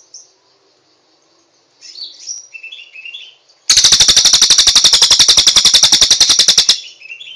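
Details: Cililin giving quiet high twitters, then a loud three-second burst of rapid evenly repeated rattling notes, ending with soft chirps.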